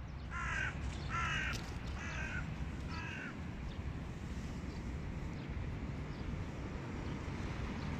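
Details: Adult hooded crows, a pair frightened by a dominant crow, give four harsh caws in quick succession about one per second early on, then fall silent under constant wind and rumbling background noise.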